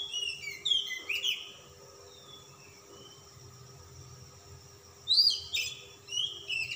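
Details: Kacer, or Oriental magpie-robin, of a calm type, singing hard while displaying, its song filled with varied material: high sliding whistles and chirps in two lively bursts, with softer scattered notes in the pause between.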